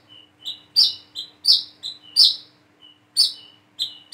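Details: Learning plain-throated sunbird uttering irregular high chirps and slurred notes, about eight in four seconds, with thin level whistles between and a faint low hum.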